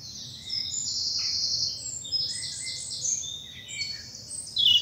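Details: Wild birds singing in an English bluebell wood on a spring morning in southern England: long high sustained whistles and rapid twittering overlap, a few lower chirps, faint background hum.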